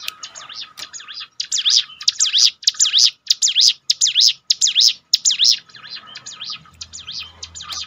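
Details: Bar-winged prinia song used to lift a down-spirited kept bird: a steady string of loud, high, bouncing notes about twice a second, then fading into softer chirps.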